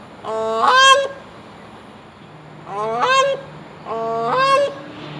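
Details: A grey crowned crane at Seletar, Singapore, believed to be the only one left in the wild there, gives three loud, nasal honks, each sliding upward, spaced a couple of seconds apart, over a faint low hum.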